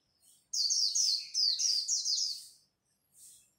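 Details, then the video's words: Dawn contest song of a white-eye: two long, lively bursts of high, rapidly slurred notes tumbling downward, then one faint chirp. "Khuyên líu đấu lúc bình minh"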